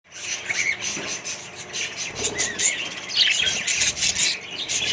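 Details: Colony of Australian budgies kept with other birds: a dense, continuous chorus of high chirps and short warbled notes, overlapping callers throughout, with a brief flurry of louder twittering near the end.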